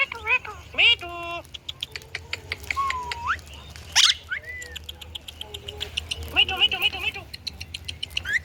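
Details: Indian ringneck parakeet talking and making sounds: a busy mix of quick clicks, short whistled slides up and down, buzzy chattering bursts and a loud high shriek near the middle, over a faint low hum.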